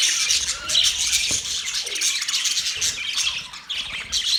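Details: Group of budgerigars, recorded October 11, 2023, keeps up busy high-pitched chirping and scratchy warbling, a continuous overlapping chatter with occasional sharper squawks.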